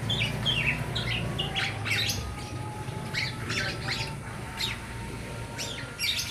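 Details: Young black-naped oriole begging for its parents, giving rapid, rasping, broadband squawks that repeat about twice a second in an irregular rhythm, with a faint steady tone and low background rumble.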